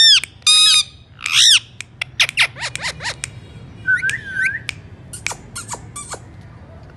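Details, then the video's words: Alexandrine parakeet in a room producing two loud harsh squawks, then a run of clicks, short sweeping whistles and a wavering whistled phrase, with low background hum. "lovely alexander parrot sound"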